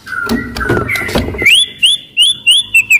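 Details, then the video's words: Agile, loud-voiced white-rumped shama used to make other shamas sing and fight: muffled notes and rustling first, then clear upslurred whistles repeated about twice a second. "MURAI BATU GACOR , CEPAT MERANGSANG BUNYI, GACOR & FIGHTER"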